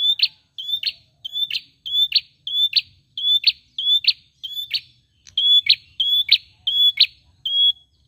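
An ashy tailorbird repeats a high, sharp two-part phrase, a flat whistle snapping into a quick upward flick, about twelve times in steady succession. No other sounds intrude.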